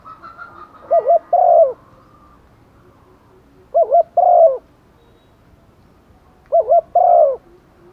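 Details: Female spotted dove cooing to attract males in the rainy season, used as a lure: three similar phrases spaced about three seconds apart, each a wavering double note followed by a longer falling coo.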